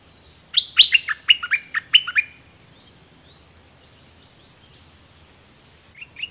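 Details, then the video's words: Dok taeng bird song recorded in 2020 as a teaching track for young birds: a fast series of around seven high, sharply falling chirps, a long pause, then two soft chirps at the end. "เสียงนกดอกแตงเจ้าเพชรกับเจ้ามณี เสียงใหม่ล่าสุด2020ไว้สำหรับต่อ ใช้หัดลูกนกให้ร้องตาม"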